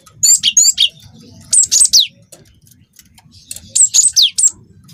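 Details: Young cinereous tit of the wingko type singing vigorously, used as a lure to prompt other birds to sing: three phrases of three or four high whistled notes, each phrase ending in a sharp downward sweep, separated by short pauses.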